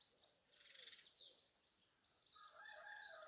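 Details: Agitated house sparrows squabbling one morning around buildings where they nest, 2020: bursts of rapid, shrill chirping that rise and fade, then resume more densely.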